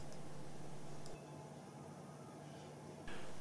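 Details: Quiet indoor room tone with low hum and a few faint ticks, and no animal sound.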